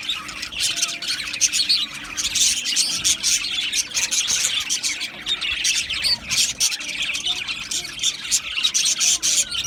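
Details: Pet Australian budgies twitter nonstop, high scratchy chirps and warbled notes layered from several birds, loudness pulsing in quick irregular bursts over a faint hum.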